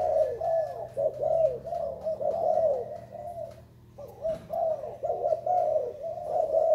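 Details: Zebra dove of Thai stock, recorded 19 April 2019, delivering a soft trilling coo song of rapid warbled notes, pausing briefly midway before resuming the rolling phrases; low hum underneath.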